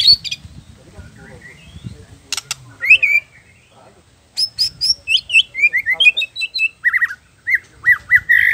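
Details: White-rumped shama singing its full varied song: scattered sharp clicks and a rising whistle, a short pause, then a quick chain of high whistled notes that steps downward into repeated looping slurred phrases.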